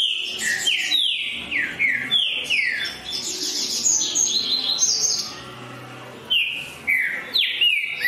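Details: Green-winged saltator singing eagerly: loud, rich whistled phrases of slurred notes, each sliding downward, given in quick runs, with a busier warbled stretch in the middle before the clear descending whistles return.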